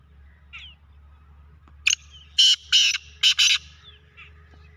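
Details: Black francolin, also called black partridge, calling: a short faint note, then loud, harsh, grating bursts, one single and two close pairs, over a quiet background with faint chirps from other birds.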